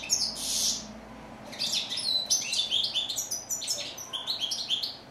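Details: European goldfinch song opening with a harsh buzzy note, then a lively stream of rapid, clipped twitters and chirps.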